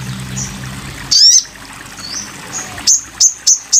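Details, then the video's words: Sogon bird singing for a master recording: one harsh buzzy sweep, soft faint whistles, then four short sharp high notes repeated about every third of a second. "masteran burung sogon"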